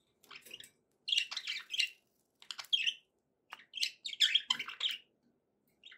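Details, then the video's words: Happy pet budgerigars keep up a lively chattering warble in several bursts, with scratchy chirps, clicks and buzzy rolled notes separated by short pauses. "happy budgie sounds"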